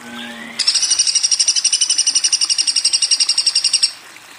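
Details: Woodpecker delivering a single long burst of quick, piercing, evenly spaced chirps lasting over three seconds, preceded by a short low hum and a rising tone.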